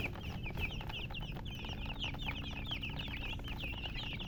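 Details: Chicks chirping in a group, rapid shrill peeps and short down-slurred notes tumbling over one another without pause, a faint low hum underneath.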